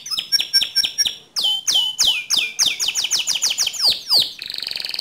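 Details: Canary song for training other canaries: short clipped repeated notes, then louder descending whistled sweeps about four per second, ending in a fast soft trill.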